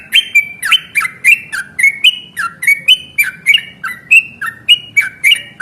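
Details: Yellow-vented bulbul in fighting mood, a long rapid 'ropel' song used as a lure to make other bulbuls sing and answer: quick bubbly warbled notes, each opening with a sharp click, repeated nearly twice a second.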